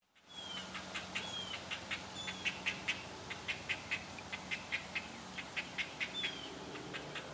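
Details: Great blue heron (Ardea herodias) chicks in a nest in a pine tree give begging calls for food: a rapid run of harsh, clacking ticks, two or three a second, with thin whistled notes and a low, steady hum behind.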